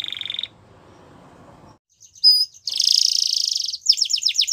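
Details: Short bit of Belgian canary song: a brief buzzy note, a pause, then a sharp whistle, a dense buzzy roll and quick repeated notes at the end.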